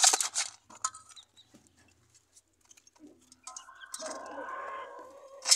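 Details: Rooster kept with chicks on a home farm among lemon, mango and lime trees, natural ambient sound: soft scattered chirps, then a harmonic, drawn-out crow of about two seconds that wavers and slides lower, with bursts of wing flapping at both ends.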